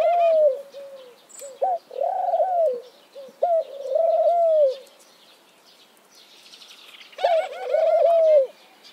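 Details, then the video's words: Soft, low cooing by a mourning dove: drawn-out descending notes in three groups with quiet gaps, plus faint higher chirping in the background. "Mourning Dove Bird Sound, Song, Call"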